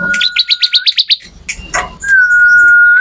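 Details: Bar-winged prinia song, a master recording of the captive songbird: a rapid series of about nine sharp chirps, then a long steady whistled tone sustained for about a second.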